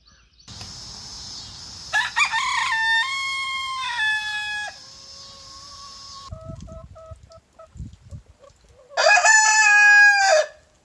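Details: Leghorn rooster giving a long crow in stepped segments, the pitch dropping in stages over several seconds, then a second rooster-like burst near the end; background hum and faint knocks.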